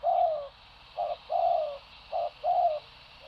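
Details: Repeated coos of a spotted dove, each long mellow note falling gently at its end and preceded by a short clipped note, the pattern heard twice in a quiet setting.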